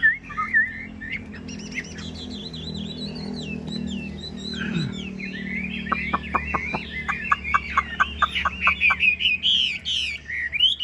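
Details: Caged Chinese hwamei singing a rich, varied song of whistled slurred notes and rapid rising-falling phrases, ending in a string of sharp repeated clicks and loud twittering, with a low hum underneath.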